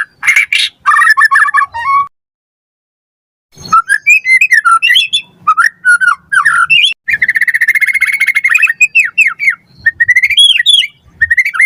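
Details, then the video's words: Lure recording of a white-rumped shama singing energetically to train other birds. It pours out dense, rapid phrases of swooping whistles and trills, broken by one pause of about a second and a half. "Pancingan Murai Batu Gacor Auto NYAUT Cepat RESPON Buat Masteran Burung Murai Agar Gacor Full Isian"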